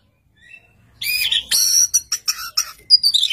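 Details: Singing Oriental magpie-robin, answered by another magpie-robin. After a soft opening note comes a dense, loud outburst of harsh buzzy chatter and shrill whistles, ending in quick sliding phrases.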